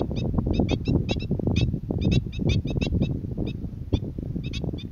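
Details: Black-winged stilt calling on Boa Vista, Cape Verde, in February 2020: short, sharp, nasal yelping notes repeated rapidly in irregular bursts, about twenty in five seconds, over heavy low rumbling wind noise.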